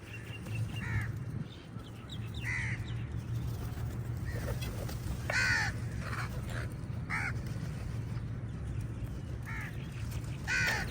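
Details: Numerous crows tussling with eagles over a meal: scattered harsh caws and shorter calls from several birds, irregularly spaced, over a persistent low rumble.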